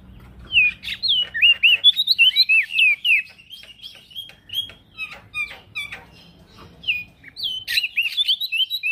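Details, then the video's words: Actively singing male prinia, kept as a training recording for cage birds: strings of quick, clear, swooping whistled notes, each bending up and down, delivered in rapid bursts with short pauses between phrases against a quiet background. "Prenjak daun Jantan gacor"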